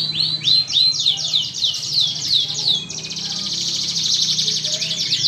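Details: Canary song used as a lure for other canaries: a series of clear swooping downslurred whistles, then a long rapid high rattle-like trill, with a low hum behind.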